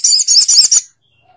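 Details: Sogok ontong bird giving a short burst of four harsh, buzzy high-pitched notes in under a second, then silence.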